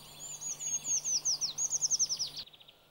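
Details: Eurasian treecreeper singing while foraging in Sweden, a high thin descending trill of sliding notes that speeds up and ends in a flourish, over faint background hum.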